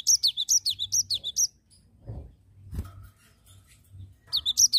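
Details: Cinereous tit, nggacor ngerol singing: a quick string of about seven high, piercing chirps, then a pause with a few soft knocks and a faint hum, before the rapid chirping resumes.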